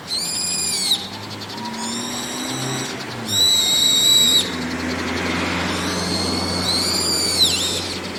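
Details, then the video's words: Perched on a roof in the evening, a brown-eared bulbul repeats loud, strident whistled calls, four in about eight seconds, some flat, some arching and dipping at the end, over low rumbling background noise. "ヒヨドリの夕方の鳴き声 Brown-eared Bulbul"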